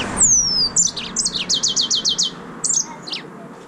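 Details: Green singing finch (yellow-fronted canary) opening with a long, thin, down-slurred whistle, then a fast run of about seven evenly repeated bright chirps and a couple of closing slurred notes.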